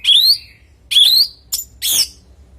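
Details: Orange-headed thrush song played to prompt other thrushes to answer: two rising whistled phrases, then a sharp brief chip and a harsh, rich burst, each separated by short pauses.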